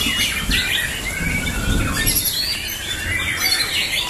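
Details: Caged white-rumped shama (murai batu) being prepared for a singing contest, giving bright whistled notes and rapid twittering phrases over a steady low rumble.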